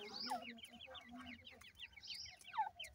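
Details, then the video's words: Young francolins feeding utter quick series of high chirps in short bursts, with lower soft clucking notes and two brief sharper cries. "Teetar chicks ke awaz"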